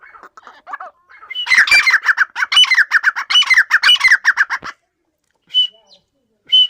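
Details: Loud grey francolin call: a fast run of harsh, ringing notes repeated in a rhythmic series for about three seconds, followed by silence and two brief sharp notes.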